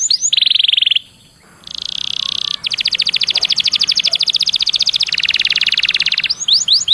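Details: Canary song used as a lure to get other canaries singing: fast buzzy trills and rapid repeated chip notes high in pitch, with sweeping upward whistles at the end and a short pause near the start.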